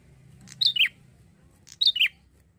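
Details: Two phrases from an actively singing young male Bar-winged prinia: a high sharp note sliding down into a lower buzzy note, repeated after about a second, over a soft low hum.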